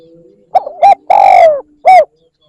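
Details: Spotted dove lure call, one phrase: a pair of short coos, a long falling coo, then a clipped final note, with faint low hum before and during.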